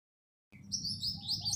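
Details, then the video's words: Black sparrow chirping: a quick run of high, thin, sliding chirps begins after half a second of silence and continues steadily, over a low background hum. "Black Sparrow Calling Sound | sparrow chirping voice"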